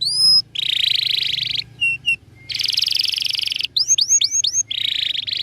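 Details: Canary song used as a master recording for training other birds: bright buzzy trills around high pitch alternate with rapid rising-falling whistled notes and brief pure tones, all clear with a faint low hum beneath.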